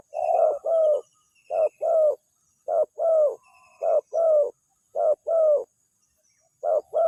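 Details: Spotted dove (tekukur) lure call that draws an immediate response: soft, mellow coos in close pairs, repeated roughly every second, with clean quiet gaps between phrases.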